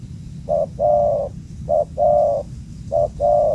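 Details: Loud spotted dove, wild and caught at an old location, cooing in three clear phrases. Each phrase is a short clipped note followed by a drawn-out steady coo, about a second apart, against soft background noise.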